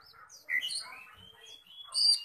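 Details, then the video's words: Contest-ready Oriental magpie-robin in fierce song while displaying: a few quick chirps, then a long, thin, steady whistle gently rising in pitch, ending with a bright, loud, high note. "KACER SIAP GANTANG, kicau ganas,ngobra"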